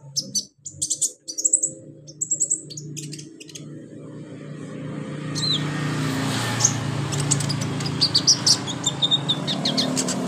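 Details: Brown-throated sunbird giving quick high chirps in short bursts at the start and at the end, played as singing therapy for caged birds. Loud, rushing broadband noise and a low hum fill the middle.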